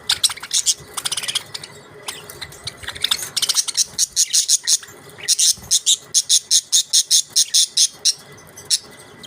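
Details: Budgies chatter in quick bursts of bright, high-pitched chirps, then settle into evenly repeated short tweets about twice a second over a low background hum.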